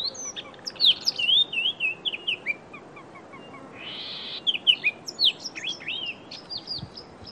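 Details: Chestnut-vented tit-babbler calling in long chattering sequences of high, steeply slurred chirps and zigzag whistles, pausing briefly around a soft hiss before resuming the rapid notes.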